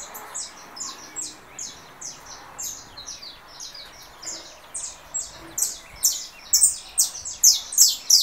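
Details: Saffron finch of the russo style, emerging from molt, answering a canary recording on a phone: steady stream of thin, high falling chirps that rises in loudness and intensity over the final seconds.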